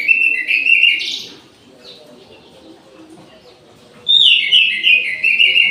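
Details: Orange-headed thrush in an aviary at midday delivers a short whistled warble, pauses for about three seconds, then sings a longer, loud, rich, descending run of notes.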